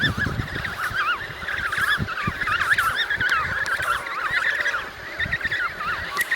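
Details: Emperor penguin adults in a noisy Antarctic colony trumpet to stand out from the crowd; repeated wavy, yodel-like calls overlap one another throughout, over low background rumble.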